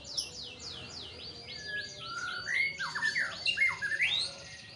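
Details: White-rumped shama singing a rapid series of descending then rising whistled notes, repeated quickly, ending in richer slurred phrases.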